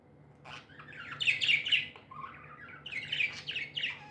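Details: Happy budgerigars chirping in a warbling chatter: clicks, then bright, scratchy, fast-changing notes in two bursts, with a steady low hum underneath.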